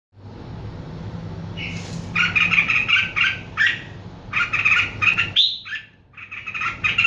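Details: Bird chirping in quick bursts of bright notes, mixed with a high rising whistle, over a steady low hum and faint traffic rumble.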